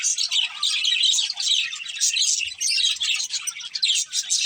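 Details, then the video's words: Budgies in a breeding pair chatter and warble at a high pitch, with rapid chirps tumbling together in waves of rising and falling loudness and a few soft low taps. "Cute Budgies Chirping Sounds"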